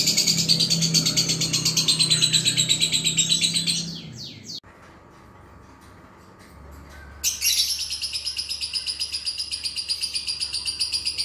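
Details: Lovebird prompt song used to make a lazy lovebird sing 'ngunci': a loud, rapid, buzzy chattering trill over a low hum, a sudden stop with a few seconds of quiet, then the fast trill returns.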